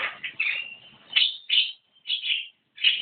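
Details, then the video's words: Energetic Javan myna song of loud, harsh, rasping notes in short bursts. A thin whistled tone links two phrases, then brief pauses separate the final squawky notes. "Burung jalak kebo gacor"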